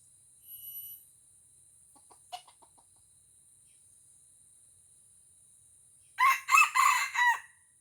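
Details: Aceh red junglefowl in a fierce fight with a decoy cock at a trapping lure: after faint scattered clucks, a loud crow of four rasping segments, over a steady high-pitched insect whine.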